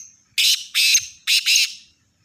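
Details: Sindhi-strain black francolin calling: three loud, harsh, buzzy rasping bursts, the last split into a doubled note, forming a grating phrase. Faint low knocks sound in the background.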